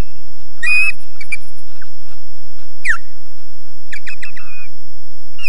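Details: Nest-defending osprey at Loch Garten, Scotland, on a nest camera with poor sound: rapid bursts of shrill, slurred whistled calls and one long falling whistle, with constant low hum.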